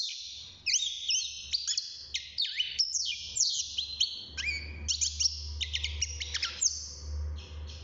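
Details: Young European goldfinch singing inside a cage at six months of age: a long, fast medley of high twitters, buzzy trills and slurred whistles, accompanied by a continuous low hum that grows louder midway.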